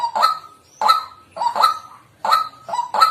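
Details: White-breasted waterhen calling in a natural setting: six rough, honking notes in three seconds, some closely doubled, others separated by short pauses.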